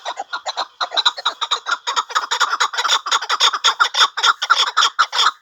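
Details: Partridges calling in a dense, rhythmic chorus of harsh, rapid chattering notes, several birds overlapping, pulses repeating many times a second throughout.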